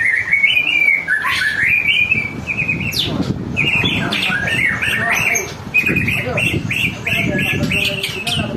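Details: White-rumped shama song used as a lure to prompt other birds to sing: varied whistled phrases, sliding and rising notes, with sharp high flourishes and quick chattering bursts, over a steady low background rumble.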